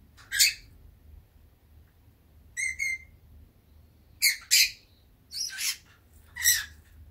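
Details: Pet peach-faced lovebird, drowsy and dozing in warm sunny weather, gives scattered short harsh chirps and buzzy squeaks, some with clear whistled tones, in brief bursts separated by quiet pauses.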